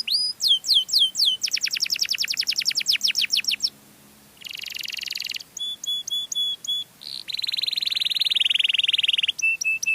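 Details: Melodious canary song meant to lure birds of the same kind: sharp falling sweeps, a fast buzzy trill, a brief pause, then rattling rolled tours and clipped high notes.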